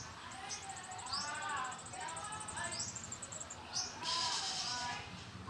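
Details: Mother bird feeding her babies, recorded in the wild: a rapid, nearly continuous run of thin, high chirps, about three a second, over lower warbling notes and brief rustling bursts.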